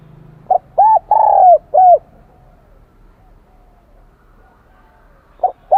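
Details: Kim đồng voice of a wild-caught spotted dove, a high bell-like Vietnamese song type: a clipped note, an arched coo, a long mellow tone and another arched note, then a pause and the start of the next phrase.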